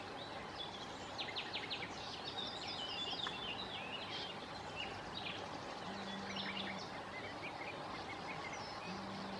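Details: Sand martins calling at their riverside breeding colony on the Bečva, Czech Republic, 3 June 2018; dense bursts of buzzy, chattering twitters, with river noise and an intermittent low mechanical hum.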